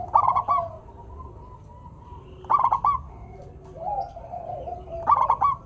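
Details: Zebra dove of local Indonesian stock, praised as a keen, sweet-voiced singer, gives three staccato cooing phrases roughly every two and a half seconds, with softer wavering coos from other doves between them.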